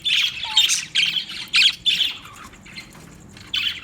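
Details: Budgerigar giving loud scratchy squawks in short bursts, about five close together, then a pause and one more.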